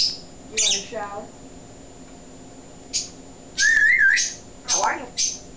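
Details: Pet male African grey parrot during an indoor talking session, recorded on a low-quality digital camera: a sliding whistle, a quick run of speech-like syllables, then sharp clicks, a wavering whistle and a short chattered phrase, in a small room.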